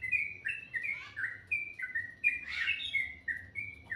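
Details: Birds singing in the morning: clear level whistled notes in quick succession, with a burst of louder, rougher chirping midway.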